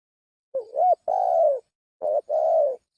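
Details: Spotted dove lure call: two phrases, each a short wavering note followed by a longer, steady, mellow coo, repeated about one and a half seconds apart against a silent background.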